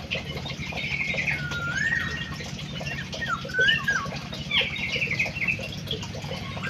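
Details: Munia giving soft buzzy trills and downward-gliding whistled notes, one long slur near the middle, against a constant low droning hum.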